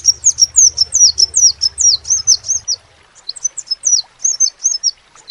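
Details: Crimson sunbird singing in a distinctive voice: a rapid run of very high, thin, downslurred notes about seven per second, a pause, then a second shorter run, over a faint low hum.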